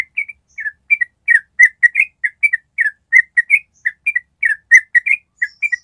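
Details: Yellow-vented bulbul in an extended ropel, a long trilling song meant to make other bulbuls respond: steady stream of short, liquid, up-and-down whistled notes in small clusters, clean with no other sounds.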